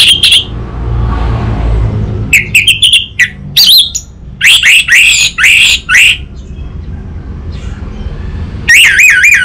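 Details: Orange-headed thrush from North Bali, Indonesia, used to lure a young bird into song: a short note, a pause with low noise, then a run of rich, wavering whistled phrases and a final trilled warble.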